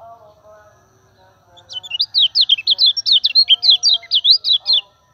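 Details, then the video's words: Steady Common iora singing meant to coax other birds into song: after soft low murmurs, a three-second volley of about sixteen sharp, high, rapidly alternating whistles in quick succession. "PANCINGAN KECIAL KUNING GACOR"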